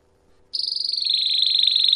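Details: A Belgian canary in Campainha style, recorded for training canaries, starts abruptly into a rapid high trill that drifts slightly lower in pitch and holds steady.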